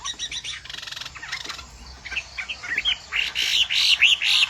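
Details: Song of a 'bộ tam hoàng' Chinese hwamei: rapid ticking and buzzy notes give way to a loud run of bright, repeated arched whistles, about two per second, toward the end.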